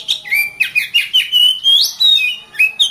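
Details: Kacer (Oriental magpie-robin) song for masteran training: a continuous warble of short whistled notes about four per second, wavering up and down, with one quick upward sweep in the middle.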